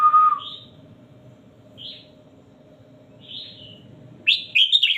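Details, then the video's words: Red-whiskered bulbul, caged, gives a steady buzzy note, three short spaced whistled chirps about a second and a half apart, then a loud rich warbled phrase at the end; low hum throughout. "#นกกรงหัวจุกนับดอก #นกกรงหัวจุกเสียงครู"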